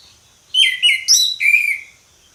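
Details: Ngeplong song of an orange-headed thrush: four loud, rich whistled phrases within two seconds, each sliding and dropping slightly, with a sharp high note in the middle; background quiet.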